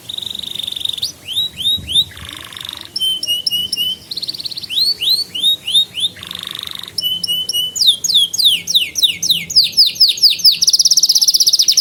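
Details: Canary song as a training recording for young canaries and a lure for silent birds: alternating rapid whistled sweeps, hard rattling rolls, lower buzzy tours and long sustained high trills, phrases changing every second or two.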